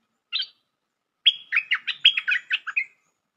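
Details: Bulbul, locally merbah lekir, from a trapping lure recording: one brief chirp, a pause of nearly a second, then a fast burst of about ten bright, warbling notes lasting under two seconds.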